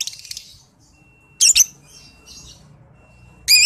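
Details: Young lovebird (balibu) lure recording: a soft twittering start, then two loud harsh rasping squawks about two seconds apart, with faint chirps and a thin steady tone between.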